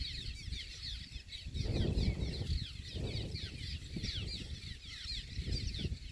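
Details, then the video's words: Cliff swallows at a busy rookery, UC Merced Vernal Pool and Grasslands Reserve, 16 April 2021: many birds give a constant chatter of short, squeaky, chirring notes over heavy low rumbling wind and flapping noise. "Here are some cliff swallows for variety."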